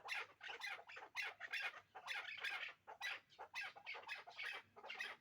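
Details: A pair of hybrid chukar partridges calls in rapid, raspy bursts of clucking chuck notes, about every second, with a faint steady hum in the background.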